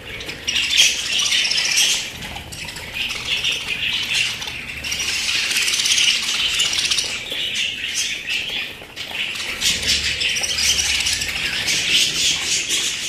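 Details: Pet budgerigars in rapid, nonstop chatter, fast chirps and squawky warbles packed closely together, with a brief quieter dip partway through.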